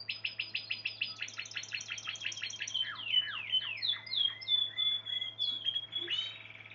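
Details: Spanish Timbrado canary song opening with a fast, even trill of identical short notes, then shifting into longer downward-sweeping whistles and a final rattling burst, with a constant low electrical hum behind.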